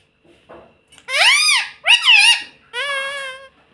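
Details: Rose-ringed parakeet kept as a pet, imitating human speech such as "mummy papa": three drawn-out harmonic syllables, arched and wavering, each under a second, in a quiet room.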